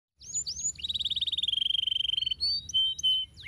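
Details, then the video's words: Canary singing a lively song meant to lure quiet canaries into answering: a few upswept whistles, then a long, fast, even trill of high notes lasting over a second, ending in scattered thin whistles. "kenari mantul ampuh pancing kenari ngetem nyautt gacor lagi"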